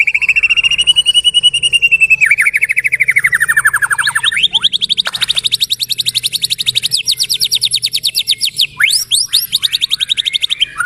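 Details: Captive white-rumped shama in full song: a long slurred whistle falling from high to mid pitch, then rapid, evenly repeated high notes in dense trills, ending with sharp upward sweeps.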